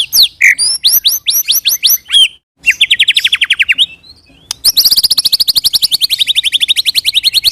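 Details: White-rumped shama singing a 'roll tembak' rolling song used as a lure to make other shamas respond. Rapid bursts of sharp rising whistled notes, then a long fast trill of repeated buzzy notes.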